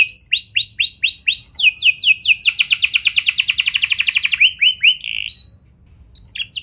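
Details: Canary lure song to make other canaries sing: hooked rising notes repeated several times, then a quick evenly spaced trill and twisting sweeps, before fading into a short quiet gap.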